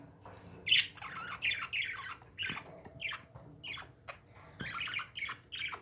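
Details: Squawking pet parakeets indoors give a busy stream of rough, falling chirps, some overlapping, with faint ticks and a quiet room hum underneath.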